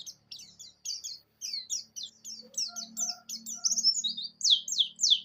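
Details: Javan white-eye, pleci buxtoni, in gacor ngalas ngerol song, meant to spur pleci that won't open their beaks: a fairly quiet, steady stream of high chirps that grow louder and sweeping toward the end, over a soft low hum.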